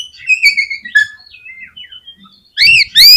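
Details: Oriental magpie-robin in full song, used to make other magpie-robins start singing quickly: a run of clear, falling whistled phrases, then loud, sharp rising whistles near the end.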